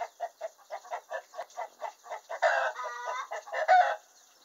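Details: Domestic hen in the henhouse cackles after laying an egg, with about a dozen evenly spaced clucks leading into long, strained, harmonic squawks before it falls quiet.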